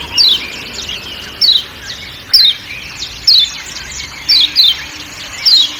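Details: Lemon-bellied white-eye (kecial kuning) of Lombok giving its 'ciak ciak' call amid forest sounds: short, sharp, descending high chirps in small clusters at irregular intervals of about one second, over a steady high insect-like hiss.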